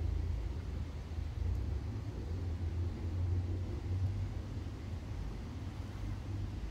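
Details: Low, droning engine rumble like passing traffic or an aircraft dominates throughout, with no animal voices.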